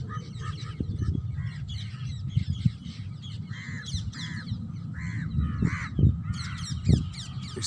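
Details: Parrots in a natural setting uttering rough, raspy squawks, several overlapping at irregular intervals, with low thumps and rumbling background noise.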